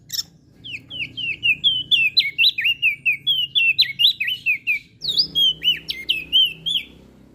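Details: Melodious song of a crested white-eye from Lombok, meant to coax reluctant cage birds into singing: a continuous stream of bright, wavering whistled notes, each dipping and rising, delivered steadily over a soft low hum.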